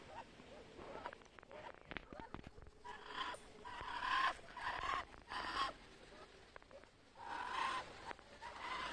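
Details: Muscovy duck producing loud, airy hisses in clusters, some with a thin squeak inside, separated by quieter gaps and a few sharp clicks.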